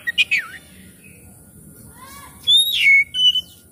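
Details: Oriental magpie-robin lure song to coax singing and tail opening: a few quick chirps, a quiet gap with a soft low whistle, then loud drawn-out downslurred whistles.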